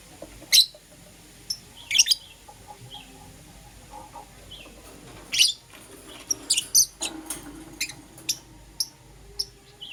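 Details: Morning chatter of Euwing Green Opaline and Lutino lovebirds: scattered shrill chirps and thin squeaks, sparse at first, then a busier run of quick high notes in the second half.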